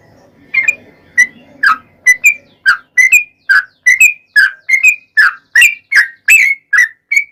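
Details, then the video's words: Yellow-vented bulbul pouring out long ropel-style song, played as a lure to provoke singing: after a brief murmur of low background noise, quick liquid chirping notes tumble out in a steady, almost unbroken run. "trucukan gacor ROPEL PANJANG buat pancingan trucukan agar bunyi"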